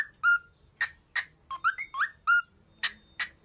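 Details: Cockatiel training song for cheering up: a held whistle, a pair of rasping chips, a quick climbing series of slurred whistles, another flat held whistle, then two final harsh chips.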